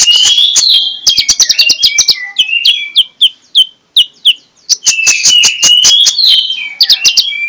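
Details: Magpie-robin song, played in the morning to lure other magpie-robins into singing: loud varied whistles and buzzy warbles, with bursts of quick repeated clicking notes.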